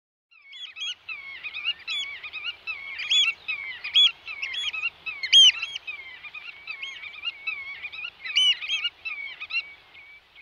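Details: Eurasian oystercatcher in the Netherlands giving loud, shrill piping notes in quick, overlapping bursts that swell and fade over about ten seconds, with a quiet natural background.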